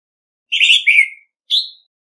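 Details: Orange-headed thrush decoy bird in a singing contest, noise-free: a rich warbled whistle falling in pitch, then a single thin rising-falling note after a brief gap.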